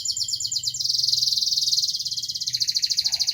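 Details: Brief local canary song: a very high, intense rattling trill easing into slower pulses, with a faint low warble at the close.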